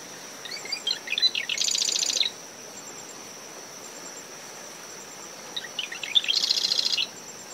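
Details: Two songs from a marsh wren in dune shrubs surrounding a nest, early morning, about five seconds apart; each is a burst of stuttering chips ending in a rapid rattling trill, with brisk wind, surf and a steady cricket.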